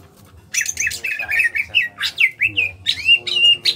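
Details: Greater green leafbird from Kalimantan, small in body, delivering a rapid ngentrok phrase. A run of looping, warbled whistles rises and falls in quick succession, with buzzy edges and faint low thuds behind.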